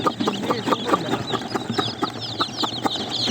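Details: Many yellow baby chicks cheep together in high, thin, overlapping peeps, over a steady pulse of lower clucking notes roughly twice a second.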